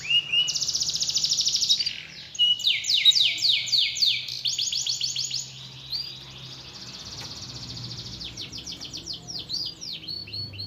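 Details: Lure song of a canary for a lazy canary that will not sing: a steady high trill, then loud bursts of fast rolling notes, fading into softer chattering phrases and a final quick whistled run.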